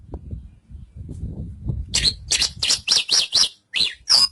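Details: Javan bush lark song begins after two seconds of low background rumble: a quick series of bright, high, chirpy notes, some slurred downward, at roughly four per second.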